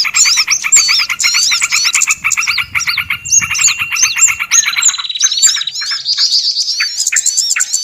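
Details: Busy small-bird lure chorus of curling high whistles and rapid ticking, with a long buzzy held note near five seconds, after which softer scattered chirps continue.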